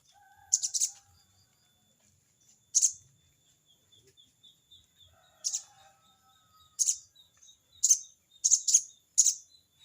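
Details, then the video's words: Crested jay (sogon) calling a rival with its harsh crecet cerecet call: short, loud, scratchy bursts given singly and in quick doubles, with longer gaps between, while faint whistles and soft lower notes from other birds sound in the background. "burung sogon bunyi crecet cerecet!!sogon manggil lawan!!"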